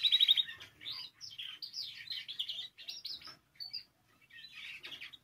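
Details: Canary singing, meant to stimulate other canaries to sing: a quick high trill, then jumbled warbling phrases of chirps and slurred notes with short pauses, fairly quiet throughout.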